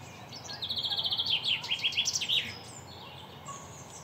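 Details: A male common chaffinch, recorded in 2021, sings one bright, rattling phrase of about two seconds that speeds up and drops in pitch before ending in a quick flourish, over a soft outdoor hush.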